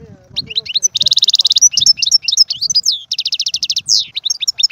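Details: European goldfinch song used to stimulate a pet goldfinch to sing: fast, high twittering with liquid chirps and buzzy trills, including two long rapid trill bursts, continuous for nearly five seconds.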